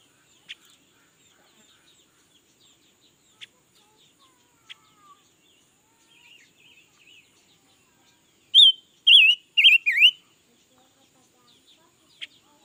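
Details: Red-billed leiothrix, newly acquired and singing all day, recorded in 2021: sparse clicks and soft chirps, then a burst of four loud, rolling warbled phrases midway, then quiet ticking again.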